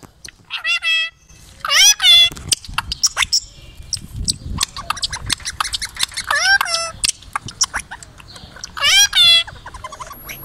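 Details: Indian rose-ringed parakeet talking, saying "koko habibi", "as-salamu alaykum" and "kiss" in Arabic: short, harsh, nasal voice-like bursts with strong overtones, spaced a few seconds apart, with clicks and handling noise between.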